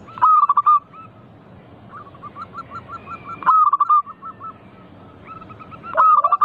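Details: Eager local zebra dove singing to coax other doves into song: three loud phrases of rapid, stuttering coos about every three seconds, with a series of softer, evenly spaced coos from other doves between them.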